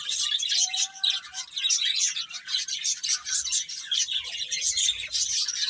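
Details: Several baby chickens peep busily while eating and playing: bright, high chirps pile on top of one another in uneven bursts, with a short steady tone early on.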